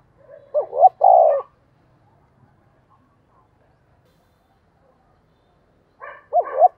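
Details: Caged decoy spotted dove calling: a soft lead-in, two quick hoots and a long burry coo, then several seconds of near-silence before the next phrase begins.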